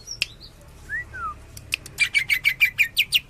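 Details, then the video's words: Greater green leafbird: a few soft, slurred whistles and isolated ticks, then a tembakan burst of roughly ten fast, sharp, repeated chirps. "Cucak Ijo 86 Tembakan Cililin,kapas tembak"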